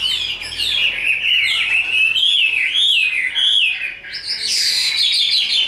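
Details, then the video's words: A tame, big-bodied Chinese hwamei sings in fighting display, giving clear, wavering whistled phrases that climb and dip, ending with brighter, higher notes. "Thuần đét, bộ to, Đấu xòe"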